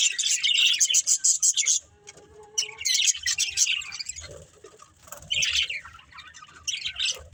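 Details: Budgerigars at play and feeding give bursts of busy, high, raspy chatter broken by short pauses, with faint low tones between the bursts.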